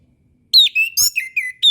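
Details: Orange-headed thrush master song for young birds learning to sing: a quick, loud sequence of falling and level whistles with a brief sharp click, ending on a bright high note.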